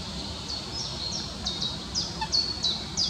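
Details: Eurasian coot accompanied by young in Amsterdamse Bos, the Netherlands, giving sharp high peeping notes that slur downward, spaced irregularly and growing louder toward the end, over constant low environmental noise.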